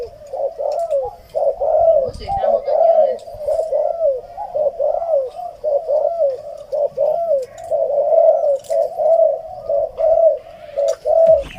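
A spotted dove coos steadily in low, hollow, rolling phrases, about one a second, with brief human voices in the background.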